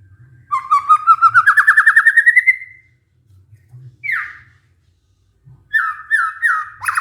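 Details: White-rumped shama pancingan played to stir stressed birds into song: a smooth accelerating trill climbing steadily in pitch, a pause, one buzzy downslur, then rapid repeated whistled notes cut short.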